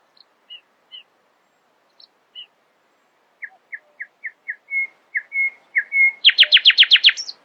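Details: Early-morning nightingale song: a few scattered high whistles, then a run of evenly spaced notes building in volume into long slurred whistles, ending in a loud, fast, rattling trill of rapid repeated notes.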